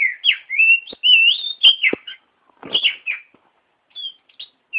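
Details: Oriental magpie-robin singing for other birds to learn from: loud varied whistles and slurred phrases mixed with sharp clicking notes, delivered in quick bursts with short pauses.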